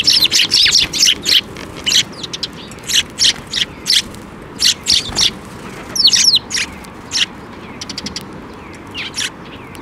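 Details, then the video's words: Flock of sparrows coming to be fed on a bridge at a Tenmangu shrine, May 2024: a rapid string of shrill, repeated chirps, several every second, tapering into more spaced-out calls over low ambient rumble. "水上橋で 餌を貰いに飛んで来る雀達"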